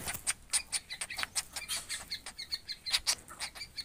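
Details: Collared kingfisher chicks begging: a rapid series of harsh, rasping, broadband calls repeated several times per second, steady and insistent throughout, with a faint hiss of background noise.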